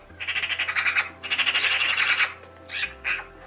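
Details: A Eurasian magpie in the UK gives its distinctive, abrasive, chattering rattle calls: two long rapid bursts, then two shorter ones, over a faint low hum.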